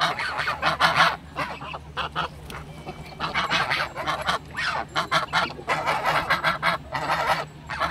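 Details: Geese give dog-like barking honks: loud, harsh, nasal bursts, with several overlapping calls in rapid clusters and brief pauses, over a low steady hum.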